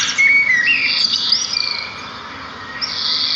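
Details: Brief stretch of sparrow song in nature: a thin level whistle and a quick rising note, followed by a dense high buzzy trill that fades and returns.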